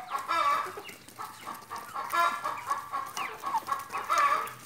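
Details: Chickens eating in a yard make drawn-out nasal clucks in bursts about every second, layered over softer chirps from other birds of the flock.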